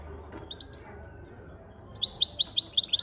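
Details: European goldfinch: a few scattered high chirps, then a fast, rhythmic series of bright, evenly pulsed twittering notes running for over a second.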